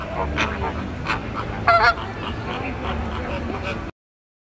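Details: Greater flamingos on display beside the dolphin show area at Sea World Abu Dhabi in September 2023, one loud goose-like honk rising over a crowd's chatter and clatter.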